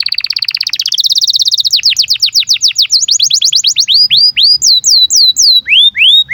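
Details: Breeding-condition canary song meant as a tutor for young canaries: opens with a fast buzzy trill, shifts into quick downward-slurred whistles, then slower rising-falling looped notes spaced about half a second apart.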